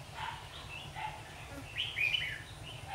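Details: Red-whiskered bulbuls caught in a trap after fighting, singing competitively: short bright warbled phrases rising and falling, with one louder burst of slurred notes near the middle, over a steady low hum.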